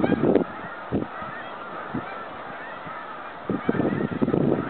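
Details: Snow geese heading home on migration, 2013: several loud honks at the start and end, with quieter gaps between and fainter calls behind.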